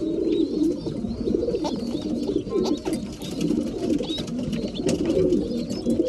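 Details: Breeding pigeons at mealtime, a flock cooing together in a steady, overlapping low murmur, with thin, high squeaky chirps running above throughout.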